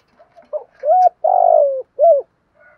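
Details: Morning cooing of a decoy spotted dove luring wild doves: quiet introductory notes, then a full phrase of mellow coos with a long vibrating middle note falling in pitch, followed by a faint trailing note.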